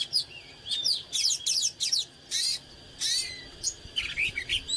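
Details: Singing and dancing oriental magpie-robin, fired up in căng lửa style: loud harsh scratchy phrases alternating with sweet whistled slurs, several dense bursts over about five seconds.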